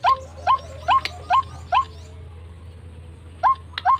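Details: White-breasted Waterhen (srimbok, truwok, ruak-ruak) lure call for trapping wild birds: clear hooked, upward-bending notes given five times at even intervals, a pause, then two more, over a low background hum.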